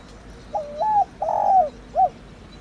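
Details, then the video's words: Spotted dove, known locally as cu gáy, giving a thổ đồng calling coo meant to stir decoy birds: two soft hooting notes, a long drawn-out falling coo, then a short final note. "Cu gáy THỔ ĐỒNG GÁY GỌI kích bổi nhanh nổi hiệu quả"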